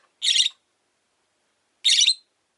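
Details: Two harsh, piercing screeches from caged rosy-faced lovebirds near a window, separated by about a second and a half of silence.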